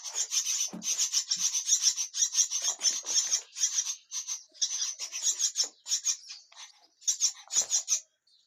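Harsh, raspy hissing bursts from myna chicks come in quick, uneven runs, about one or two a second, with brief pauses between.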